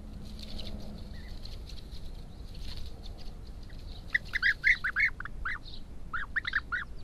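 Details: European bee-eaters building new nests near a house at Sao Marcos da Serra in the Algarve, Portugal, recorded by trail camera; after a quiet, noisy start, a burst of short rolling trilled calls repeated in quick succession.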